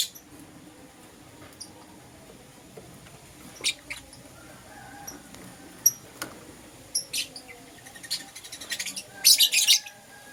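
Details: Lovebirds, a green Personata and a yellow pastel pied, kept as pets, chirping in the morning: scattered sharp high chirps and clicks, sparse at first, then a dense burst of rapid squeaky notes near the end, over quiet indoor background.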